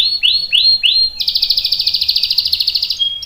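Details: Canary singing a lure song: three quick downward-swooping whistled notes, then a fast buzzy rolling trill of rapid pulses held for about two seconds, ending on a brief clear tone.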